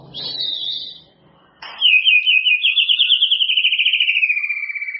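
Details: White-rumped shama song used as a tutor recording to help caged birds bring out their repertoire: a clear high whistled phrase, a brief pause, then a long rapid rolling trill that slowly descends in pitch for about three seconds.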